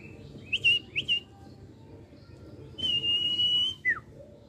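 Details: A wild prinia in a backyard garden plantation in rural Klaten, Indonesia, in the morning, with many birds breeding around, gives a few short high whistled notes, then one long steady whistle and a quick falling note, over a low background rumble.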